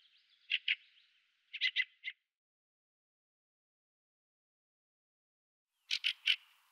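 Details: Harsh rattling chack calls of a Fieldfare, Turdus pilaris, in short groups of two to three notes, followed by a long silence and a final burst of three.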